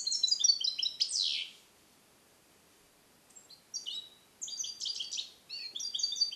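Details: Captive-born European goldfinch, hatched 2021, song-trained in the Neapolitan passata style, held alone in a small carrier cage: rapid high twittering and buzzy descending sweeps, a pause of about two seconds, then more bright chattering phrases.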